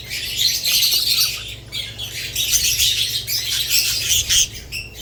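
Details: Several budgerigars chirp and warble in lively, high-pitched overlapping phrases, with some clearer whistled notes early on and a low background hum.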